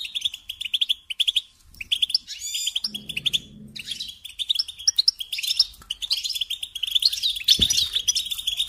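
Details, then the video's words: A European goldfinch sings for young birds to learn from: a dense, bubbling twitter that pauses briefly and then resumes with bright, rapid notes; a low murmur appears midway. "Teaching Singing Lessons Through Goldfinch Motives"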